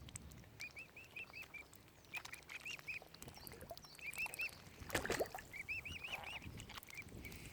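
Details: Baby mute swan cygnets on Lough Neagh at Oxford Island Nature Reserve, Ireland, peep in long runs of rise-and-fall whistled notes, four to five at a time, over soft water clatter and a sudden splashy crash midway.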